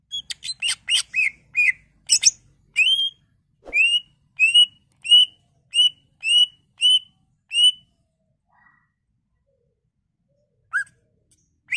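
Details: Greater green leafbird song used to stimulate other leafbirds to sing. A quick burst of mixed chattering notes comes first, then about eight clear, upslurred whistles repeated roughly twice a second, followed by a few scattered notes after a pause.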